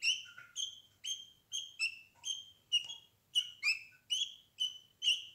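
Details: Captive budgerigars in a nest box, a mother with her eleven-day-old chicks, whose eyes have opened and feathers are growing; bright, short chirps repeated roughly once a second, each a quick high note, with no other sounds.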